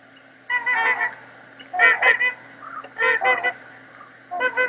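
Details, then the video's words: Two Trumpeter Swans flying away, about 400–500 m off, in central British Columbia in late March: loud, nasal, horn-like honks in clusters of two to four, about every second, over a faint steady hum. "So this is a trumpeter swan, recorded in central British Columbia in late March of last year."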